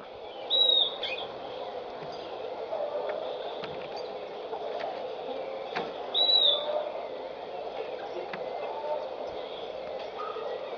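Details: A masked water tyrant (Fluvicola nengeta) gives two short, sharp high calls about six seconds apart over a steady low rumble of background noise.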